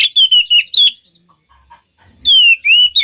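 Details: Short burst of oriental magpie-robin lure song: a few sliding whistled notes, a quiet gap with faint soft sounds, then two clear descending and rising whistles.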